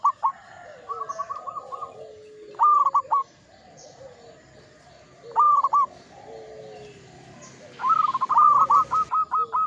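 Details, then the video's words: Local zebra dove in vigorous song in the Mataram ngepat rhythm. Stuttered cooing phrases repeat at intervals and end in a long run of rapid even notes. Faint background coos and a brief hiss are also heard. "Perkutut lokal gacor IRAMA NGEPAT MATARAM"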